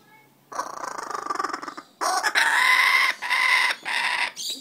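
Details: Wild but tame laughing kookaburra outside a house in Australia while biting a person's finger, later joined by up to three birds on a railing; a rapid rattling chuckle, a short pause, then loud harsh raucous bursts in three blocks.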